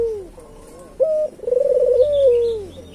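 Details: One full phrase from a local island collared dove meant to attract other doves: a clipped steady note, a pulsing rolled coo and a long falling tail, with a faint chirping bird behind.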